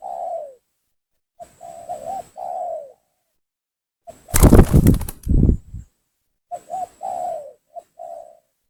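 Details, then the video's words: Spotted dove lure call meant to draw and agitate rival doves: repeated low coos in short phrases, interrupted midway by a loud burst of broadband flapping noise before the cooing resumes. "suara pancingan gacor tekukur memaksa menurunkan lawan,bikin emosi lawan"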